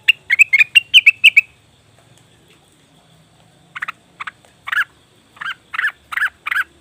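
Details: Cucak wilis (leafbird) lure call for drawing in wild birds: a quick burst of bright chirps, a long silence, then slower, harsher, lower notes spaced about half a second apart.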